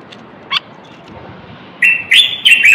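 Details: Male Moroccan common bulbul song aimed at prompting males to sing and preparing females for mating: one soft chip, then three loud, clear whistled notes in quick succession, sliding slightly downward.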